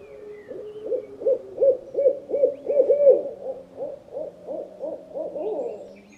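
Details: Owl, one of several owls gathered together, uttering a steady run of rapid, bouncing hoots nearly three per second throughout, rising and fading in loudness.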